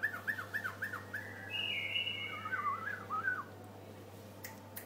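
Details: White-eared bulbul gives a quick run of repeated arched whistles, then a long even note and a warbling, wavering phrase, over a steady low hum.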